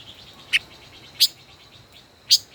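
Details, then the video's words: Caged five-colored decoy bird, kept over a year, duels in song: three sharp, high chips separated by faint rapid twitters. "Chim ngũ sắc hót đấu"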